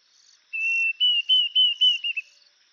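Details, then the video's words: Diederik cuckoo calling: a steady whistled note, then a series of slightly higher, rising-and-falling whistles that get shorter and faster, ending in rapid clipped notes; faint high hiss behind. "Diederik cuckoo"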